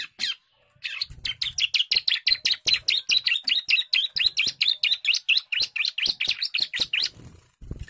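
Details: Young bar-winged prinia singing agitatedly: a fast run of sharp, buzzy chirps repeated a little over twice a second for about seven seconds, with a few low thumps in the background.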